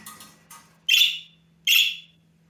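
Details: Pet budgerigar chick, half-grown, calling for attention: two loud rasping squawks after softer faint chirps at the start, over a steady low hum.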